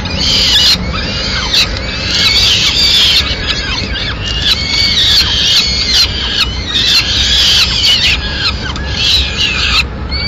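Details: Peregrine falcon mother delivering an afternoon meal to her chicks in Madrid on 29 April 2016; intense shrill squeals and squawks pour out in long overlapping bursts, pausing briefly several times, with clatter and background hiss.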